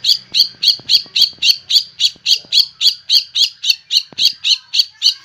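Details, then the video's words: White-rumped shama described as fierce, fighter style with luxurious fill-ins, giving a steady series of harsh, rasping high notes, about four per second, evenly spaced and unchanging throughout, with faint low background hum. "Murai Batu Paling Ganas dan Sangar"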